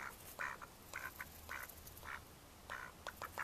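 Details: Mallard ducks recorded in May 2014: harsh nasal quacks in short bursts roughly every half second, with a few shorter clipped notes between them, over a steady low rumble.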